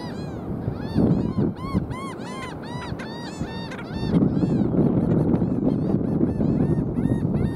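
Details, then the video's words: Black skimmers (Rynchops niger) at South Padre Island on 5 April 2023 give short, nasal, barking calls, several birds overlapping in a quick, uneven chorus over a steady low rush of wind or surf. "Black Skimmer calling"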